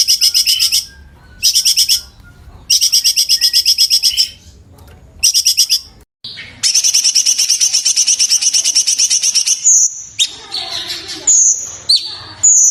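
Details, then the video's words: Sooty-headed bulbul, locally cucak cungkok, on a 2023 training master with rapid-fire bursts separated by pauses; several bouts of quick, bright, repeated chattering notes break off into silences, ending in varied sharp, high whistled notes. "NEW MASTERAN Cucak Cungkok 2023, tembakan rapat, pedass, jernih dan jeda"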